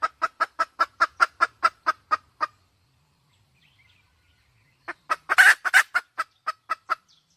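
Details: Red junglefowl hen clucking quickly and regularly, a silent gap of over two seconds, then a harsh loud burst followed by more rhythmic clucks.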